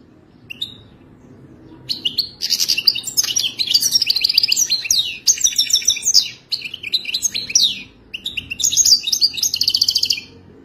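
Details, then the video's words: Wild European goldfinch song delivered in long, rapid runs of tinkling twitters, buzzy trills and bright whistled notes, broken by brief gaps, over a quiet low hum. "التغريد الوداني الاصيل #اجمل_تغريد_حسون"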